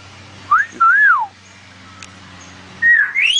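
A myna gives clear, pure electronic-style whistles: a quick rising note, an arched swooping tone, then a long upward sweep, mimicking phone sounds over a faint steady hum.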